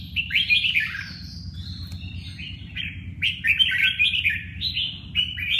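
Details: Singing red-whiskered bulbul: a string of lively, slurred whistled notes rising and dipping, phrases following each other closely, over a constant low hum.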